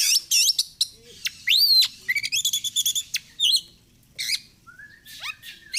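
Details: Oriental magpie-robin song recorded for morning and evening training: high bright whistles, a long rising slurred note, a quick stuttering chatter of short whistles, then softer scratchy notes and a thin drawn-out whistle.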